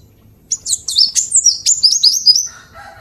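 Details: Cinereous tit song for training other birds: a quick run of high, down-slurred twittering notes, closing with a few lower soft notes.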